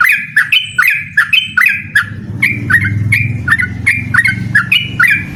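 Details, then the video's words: Yellow-vented bulbul singing hard in ropel style to challenge an opponent: a steady run of rich, warbling chirps, each a short liquid slur, repeated over five seconds with a low rumble in the background. "suara burung trucukan gacor mengajak lawan adu ropel"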